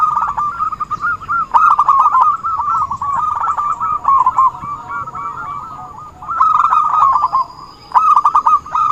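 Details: Zebra dove in vigorous song as a trapping lure: a long, nearly unbroken stream of rapid staccato cooing notes on one pitch, swelling in two louder surges with a short lull before the final burst.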